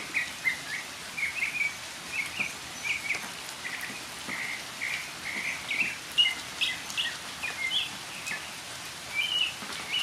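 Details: Northern mockingbird singing during rain, a long string of short chirped and slurred notes, mostly mid-high pitched, tumbling quickly one after another with occasional louder accents, against a soft rainy hiss.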